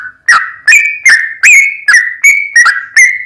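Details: Sooty-headed bulbul in lively 'ropel panjang' long rapid song, used to provoke another bird into singing: clear whistled notes near one pitch, each starting with a sharp click, repeated about every 0.4 seconds, eight phrases.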